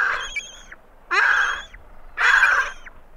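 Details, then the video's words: Great skuas calling as they invade the territories of two adjacent penguin pairs: three loud, harsh, nasal bursts about a second apart, each a rough braying note with a tailing squeal. "Skua Calls As They Invade Territories Of Two Adjacent Penguin Pairs."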